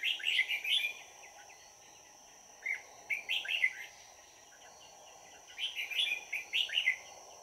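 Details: Red-whiskered bulbul kept as a trapping decoy to lure wild birds, 22 December 2018: clusters of lively chirped and warbled notes, three bursts separated by pauses, with a persistent low hum and faint high whine behind.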